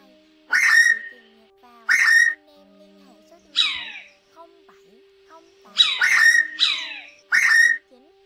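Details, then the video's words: Bar-bellied pitta male-female call used to lure flocks for trapping: short, harsh downslurred whistles, singly or in quick pairs, about every one to two seconds, over a faint steady electrical hum. "Tiếng Chim Đuôi Cụt Bụng Vằn Gọi Bầy Tới Ngay"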